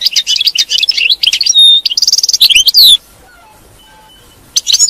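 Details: European goldfinch singing batbata to set off a captive goldfinch: dense chattering twitters with a pure whistled note, a buzzy stretch and a falling whistle, a pause, then twittering starts again.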